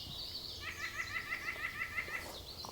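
White-breasted Nuthatch giving a quick run of about ten nasal, evenly spaced notes, around six a second, like a soft laugh, over faint background hiss.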